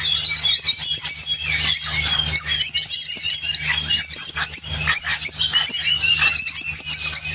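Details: Spain opaline orange lovebird singing: dense, rapid high chirps and squeaky twitters with scratchy buzzes, almost continuous throughout, over a steady low machine hum.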